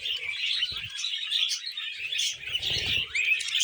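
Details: Budgies eating vegetables, kept as pets, fill the air with continuous high warbling chatter and chirps, with occasional low knocking from pecking or movement.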